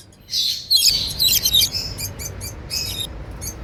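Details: African lovebirds, free-flying pets with unclipped wings, making happy sounds; a dense run of shrill high chirps and squeaks in quick irregular bursts, fading to spaced chirps.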